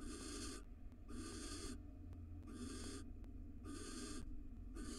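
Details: Wild barn owls at a nest box in Israel, the male feeding the female after she laid her fourth egg; harsh hissing screeches, each about half a second long, repeated roughly every second in a steady series, with faint low room hum beneath.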